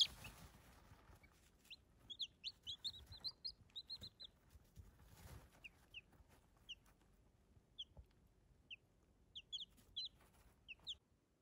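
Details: Baby chicks giving high, piping peeps, first in a quick run of closely spaced notes, then single or paired peeps spread a second or so apart, against a quiet background with a faint low rustle.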